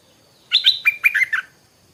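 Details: Rapid bubbly phrase of sharp chirping notes from a stripe-throated bulbul, heard in the morning against quiet surroundings.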